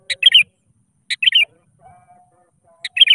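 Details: A sooty-headed bulbul sings its challenge to rivals, a lure for silent birds. Three quick bubbly phrases, each a sharp note followed by a gurgle, about one second apart, with a faint steady tone in between.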